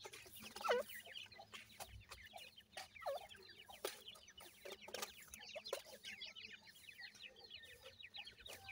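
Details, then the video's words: Feeding grey francolin chicks around a week old produce a continuous chorus of thin, rapid descending chirps, with occasional louder lower notes and brief clicking knocks. "Voice of Gray Francolin Pheasant bird Chicks"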